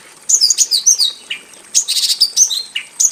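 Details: Varied, jumbled song of a Javan bush lark kept in a simple aviary: sharp high chirps, slurred whistles and buzzy fragments in two quick bursts separated by a short silence.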